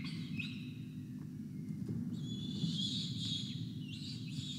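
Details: Peregrine falcon chick crying for food at a nest camera breakfast, 5 November 2021, after a day unfed, with an injured parent also very hungry. Thin, strained, rising wails, a long wavering cry in the second half, over constant low rumble.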